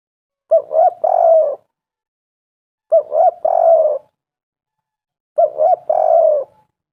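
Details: Repeated spotted dove coos for luring doves into calling: three phrases about two and a half seconds apart, each a quick note, a curved note and a long throaty coo.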